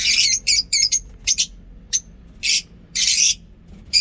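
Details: Lovebirds kept in a small home zoo, singing: bursts of harsh, broadband high-pitched squawks and chirps, some drawn out, others clipped, in irregular groups with short silent gaps.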